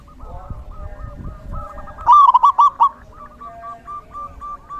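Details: Zebra dove song recorded in the rainy season: steady soft coos in a regular string, interrupted once by a loud, fast, bouncing run of hooked notes, then back to the quiet even series.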